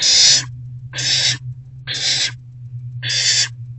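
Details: Owls calling at a nest box during rodent deliveries in the evening of 29 March 2024: harsh, hissing screech bursts about half a second long, repeated roughly once a second, with a low steady hum underneath.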